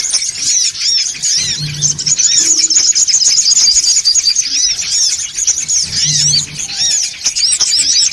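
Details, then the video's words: Songon otong birds in a raucous lure chorus, a steady jumble of high squeaky chirps and swooping notes from many birds, rhythm uneven, with a couple of short low buzzing hums in the background. "SUARA PIKAT SONGON OTONG (RIBUT) AUTO KUMPUL !!!"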